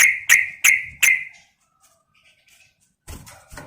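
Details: Calling female yellow-vented bulbul summoning a male, four bright, emphatic chip notes in steady succession, a soft faint whistle in the pause, then a burst of rustling noise.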